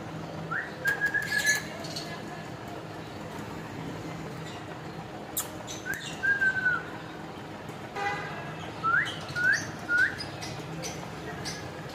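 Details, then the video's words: Parrot that talks, producing spaced bursts of whistles: a rising note with a level tail, a falling slur, and finally three quick rising whistles in a row. Scattered clicks between bursts. "Talking arrot"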